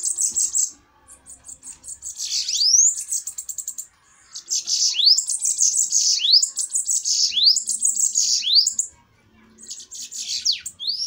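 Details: Fiery bananaquit duel with long runs of shrill, sizzling trills broken by quick upward-swooping notes, in three loud bursts with brief pauses.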